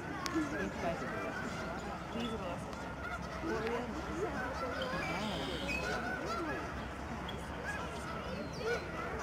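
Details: Snow geese flying and calling in huge flocks over Alaksen National Wildlife Area, British Columbia, in spring 2011. A thick layer of wavering, nasal honks runs throughout, with occasional sharper notes.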